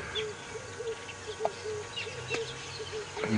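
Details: Red-eyed Dove beside a river at Djuma, Sabi Sand, South Africa, on a sunset drive on 3 December 2017: a string of low, short cooing notes in quick succession. Faint bird chirps and a soft engine hum sit behind it.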